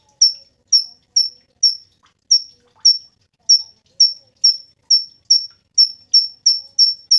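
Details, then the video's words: Series of bright, high, downward-slurred whistled notes from a Cungkok, spaced about half a second apart and speeding up toward the end; master song material for songbird training. "SUARA BURUNG CUNGKOK SUPER GACOR"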